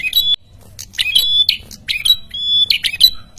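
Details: Lively red-headed prenjak song, played to provoke rival birds into answering. Rapid jumble of harsh, buzzy chips and sharp squeaks, broken by a drawn-out high whistle near the end.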